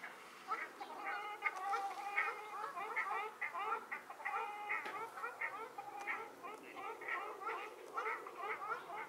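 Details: Ruddy shelducks observed in March 2022 from a hide near Hergershausen and at the Landbach restoration site in Bickenbach; many nasal, honking calls overlap in a busy, steady chorus, each short note bending upward, repeated throughout.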